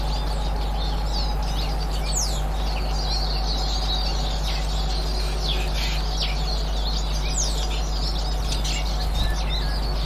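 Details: Eurasian siskins on 18 March 2024, a softer wash of high twittering with occasional thin descending notes, over an unbroken low hum and a faint steady tone.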